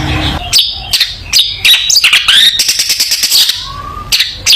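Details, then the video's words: Long-tailed shrike singing vigorously, a recording meant to tutor young shrikes: bursts of harsh, buzzy notes alternate with sharp high chirps and a brief clean whistle, delivered rapidly and irregularly. "Burung Cendet Gacor full masteran cocok untuk masteran cendet muda"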